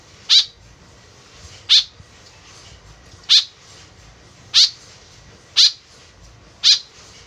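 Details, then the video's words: White-breasted woodswallow calls used as a lure: six short, harsh, buzzy notes with a sharp onset, spaced about 1.1 to 1.3 seconds apart, over a quiet background. "BURUNG KEKEP BABI GACOR SUARA JADI PIKATAN . SUARA BURUNG KEKEP MENDEKAT"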